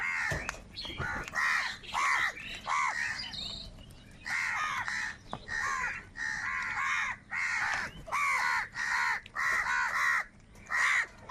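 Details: Several crows squabbling over food, loud hoarse caws repeated rapidly and overlapping, almost continuous across the recording.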